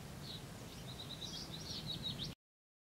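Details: Common redstart at its nesting site in a barn wall at Llaingyfre, 24 May 2012, giving thin, high chirps in a quick, uneven run lasting about two seconds, over a steady low rumble of wind.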